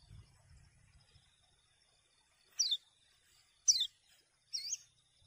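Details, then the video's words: Common iora song meant to stimulate other birds to sing: three sharp, high, down-slurred whistles spaced about a second apart, the last more rounded and looping, with a quiet background. "Kecial Kuning Ini Merangsang Buyi Burung Lain Agar Ikut Gacor"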